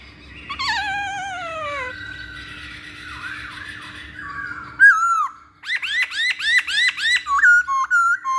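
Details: Masked laughingthrush in a training lure recording: long sliding whistles falling steeply in pitch, a wavering middle passage, then a lively run of quick arched whistled notes repeated several times.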